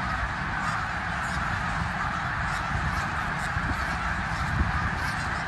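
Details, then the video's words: Enormous flock of migrating snow geese at Bath, Pennsylvania, recorded 19 January 2021, calling together in a ceaseless wash of honks, underlain by strong low-frequency rumble and occasional soft thuds. "Thousands of Snow Geese Migrate through Bath, Pa., Jan 2021"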